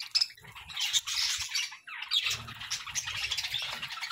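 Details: Morning budgie chirps, harsh squawky warbling and buzzy notes in a continuous jumble, with low thuds and clatter mixed in.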